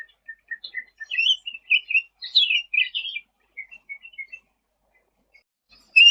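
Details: Sooty-headed bulbul in lively song used for tutoring other songbirds: soft, scattered chirps building into quick slurred whistled phrases near the middle, then trailing short notes, a sharp loud chirp at the end, clean quiet background.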